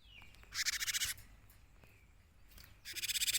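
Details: Cinereous tit, in full active song and used as a lure to draw birds in: two bursts of rapid, buzzy, harsh repeated notes, each about half a second long, over a quiet background with faint thin whistles.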